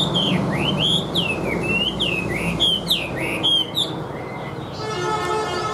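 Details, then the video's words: Chinese hwamei, a caged songbird, giving clear looping whistles that swoop up and down in quick succession, then softer notes, before a buzzy harmonic noise fills the last second. "HM 1876 DÁNG DẤP ĐẸP - HÓT TỐT RA GIỌNG ĐỀU"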